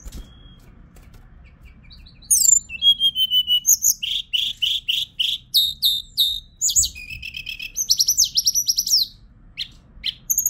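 Hill blue flycatcher singing a rapid, high, sweet warble of repeated tinkling notes and trills, with brief pauses between phrases; faint low hum beneath.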